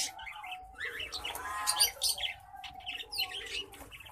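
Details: Male orange breasted black faced and female Isabel zebra finches; dense overlapping nasal chirps and buzzy notes in a short busy stretch, with a low rumble beneath.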